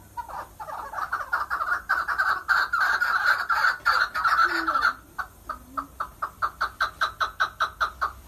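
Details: Chukar partridge singing, recorded in 2020: a dense run of harsh clucking notes builds into continuous chatter, then breaks into evenly spaced chuck notes repeated about two to three per second.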